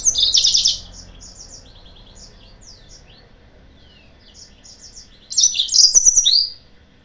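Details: Yellow-fronted canary song used as a lure to provoke rival birds: a loud, dense burst of high twittering notes, then a quiet stretch of scattered trills and slurred chirps, then another loud jumbled burst near the end.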